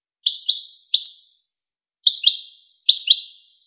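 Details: European goldfinch tutor song for teaching young goldfinches and hybrids: four short liquid, bright phrases of quick chirps, each trailing off, spaced by brief pauses; clean recording with no background.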